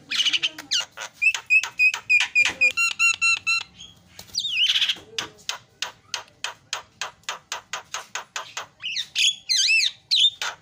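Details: Starling lure song with varied fill-in material: high whistled and buzzy notes, a run of rapid repeated harmonic chirps, a long series of sharp clicks at about three and a half per second, then looping whistled phrases.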